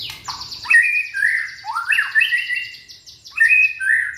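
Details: Young white-rumped shama from Indonesia sings to set off other shamas: rough, squawky phrases that rise and dip, repeated several times, over a steady series of thin, high ticking notes.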